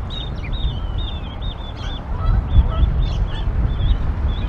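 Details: Canada geese at a nest near Decorah, Iowa, on April 28, 2022, in rain at 37 degrees, as the parents call their goslings to jump: rapid high, slurred peeps about four per second, with faint lower notes over heavy low rumble.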